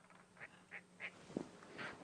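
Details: At dawn on a morning safari drive, 14 July 2016, Lilac-breasted Rollers shout while squabbling with purple rollers: short, harsh squawks, four or five in two seconds, with one low thump in between.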